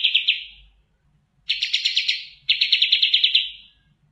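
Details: Oriental white-eye song, recorded clear: short bursts of rapid, evenly pulsed high trills, each fading away, with pauses between bursts.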